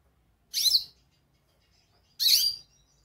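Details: Goldfinch calling, two bright, high chirped notes with a sweeping twist, about one and a half seconds apart, over near silence.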